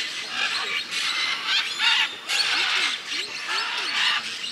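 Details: Harsh, grating squawks from scarlet macaws in Peru, repeated in rough bursts roughly every second, with faint lower arching whistles underneath and a constant outdoor hiss.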